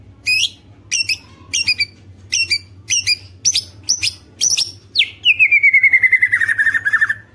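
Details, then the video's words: White-rumped shama singing to provoke rival shamas: eight sharp high chip notes about every half second, then a long trilled phrase gliding slowly downward. "MURAI BATU GACOR ampuh buat pancingan murai batu agar bunyi"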